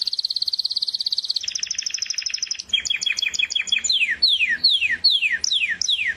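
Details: Singing canary moving through distinct tours: a fast high buzzy trill, a slightly lower rolling trill, a choppy two-tone chatter, then a series of clear whistles each sweeping steeply downward, repeated about every half second.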